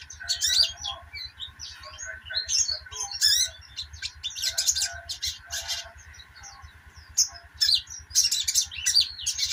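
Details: Sunbird called sogon in a lively chattering bout, high buzzy twitters and squeaks tumbling in uneven clusters, quieter mid-stretch then loud again; a constant hum and low mechanical pulsing beneath.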